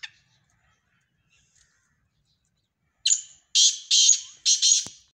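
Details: A black francolin, or kala teetar, utters one loud, scratchy phrase after a quiet stretch: a thin whistled opening note, then three harsh, buzzy notes in quick succession.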